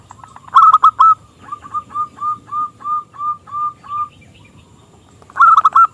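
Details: Local zebra dove with a crystal, small voice, singing to lure rival doves: a loud rolling burst, then a string of eight gentler hoots spaced about a third of a second apart, ending in another rolling burst.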